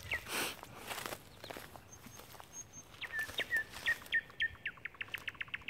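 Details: Thrush nightingale song, heard as the species returns in spring: loud clicks and short whistled notes, then a fast, dry rattle of repeated notes about six per second, with faint high whistles over soft background noise.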